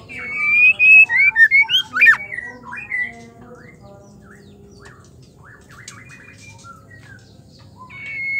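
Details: Song of a female white-rumped shama, used to get males singing: a rapid string of loud whistled and slurred notes for two seconds, then soft scattered twitters and a final sustained whistle.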